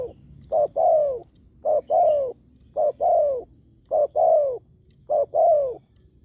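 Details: Spotted dove lure call that prompts other doves to answer: a quick short coo followed by a longer falling croo, repeated steadily about once a second, five times.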